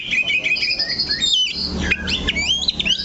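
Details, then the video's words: Oriental magpie-robin keeping to a single spot on its perch, giving high drawn-out whistles followed by short upward-flicking notes and quick twittering, with a low hum beneath. "KACER THE LOCO NANCAP 1 TITIK"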